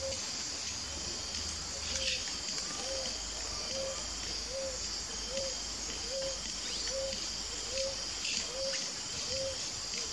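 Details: A ruddy ground dove (Columbina talpacoti), one of a pair, gives a steady series of soft, low coos, about one every second, over a constant high shrill of insects.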